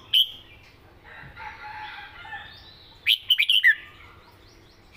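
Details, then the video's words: Southern-style song from a red-whiskered bulbul, a Thai cage songbird: one bright whistled note, a soft warbling pause, then a rapid run of four or five loud whistles ending on a lower, falling note. "เพลงใต้สวยๆ!เม็ดกะจี้กหก/นกเสียงทอง(Bulbul bird)"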